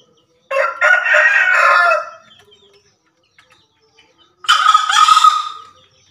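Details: Two loud, hoarse, broadband crows of a Javan green junglefowl, each about one and a half seconds, separated by near silence.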